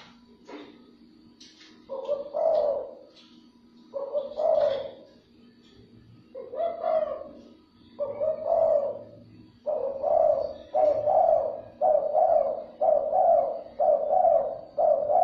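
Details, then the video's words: Repeated luring call of a spotted dove for attracting other doves: about ten low, burry coo phrases, widely spaced at first with light clicks and rustles, then coming steadily every second or so. "chim cu gáy , kích bổi siêu nhanh"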